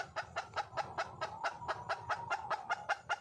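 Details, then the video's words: Wild junglefowl hen calling for a male, giving a brisk train of short, bright clucks at an even pace of about two and a half per second. "le bruit d'une poule sauvage,เสียงไก่ป่าร้องหาถู่หาตัวผู้,ສຽງໄກ່ປ່າຮ້ອງຫາຄູ່ຮັກ, poj qaib qus see"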